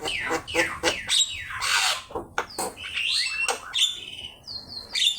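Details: Javan myna singing, recorded as training material for songbirds: rapid harsh bursts, rising whistles and clicking notes in a dense, energetic sequence.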